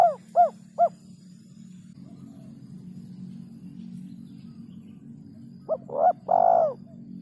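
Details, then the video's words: Rare kuk 2 or kuk 3 lure call of a spotted dove. Three hooked coos open, then steady low rumbling noise, and a quick coo phrase with a long closing note at the end. "SUARA PIKAT BURUNG TEKUKUR KUK 2 DAN KUK 3"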